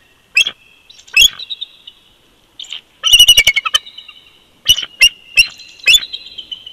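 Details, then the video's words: Bald eagle pair duetting at their nest on an old snag at Big Bear Lake, California, in winter, February 2020, from a live nest camera: high, thin staccato chitters and squeals in bursts, with sharp rapid strings of piping notes. "BB🦅Duet In Winter❄️"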